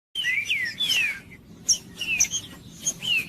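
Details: Green-winged saltator singing, used to stir other saltators into song: loud whistled phrases sliding downward, several slurred notes in quick succession, then brief sharp high notes after a short pause.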